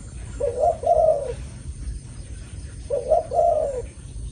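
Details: One of two female zebra doves, suited for breeding, gives soft, warbling coos in short double phrases, repeated every couple of seconds.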